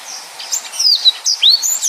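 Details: Yellow-fronted canary in full 'nembak' song: a short run of sharp, high whistled notes, some sliding downward and others rising, delivered in quick succession.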